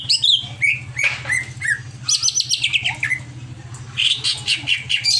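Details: Agitated greater green leafbird giving a tumbling medley of whistled slurs, buzzy high notes and quick chirp series, over a steady low hum.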